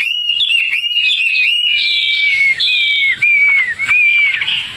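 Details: Hwamei, called wambi, tame and kept outdoors, singing a continuous string of clear, slurred whistled notes that wander and fall, broken by brief gaps.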